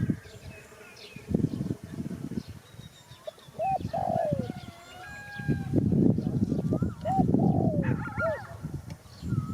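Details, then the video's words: Spotted dove giving a few soft, low, hooked coos among thin chirps from other small birds, over a steady low rumbling background. "Sound Spotted Dove"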